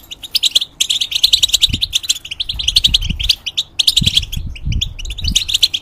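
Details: European goldfinch in a cage, singing as a training recording: bursts of rapid, sparkling chirps and rattling trills separated by short pauses, with light low thuds audible.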